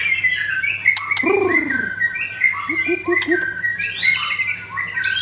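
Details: White-rumped shama in full song, a continuous rich medley of sweet whistles, with fuller low warbled notes in the middle and sharp clicks, rising to high thin phrases near the end.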